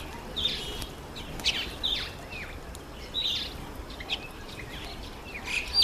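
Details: Red-faced mousebird making its first visit to a birdbath, giving short, high whistled notes with quick downward slurs, repeated roughly every half second to second, with faint outdoor hiss behind.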